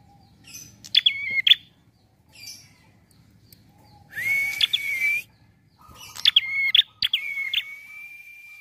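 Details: Relaxed prinia song used as a trapping lure, with sharp clicking chirps followed by flat sustained whistles, the last phrase trailing into a long steady tone, separated by short pauses.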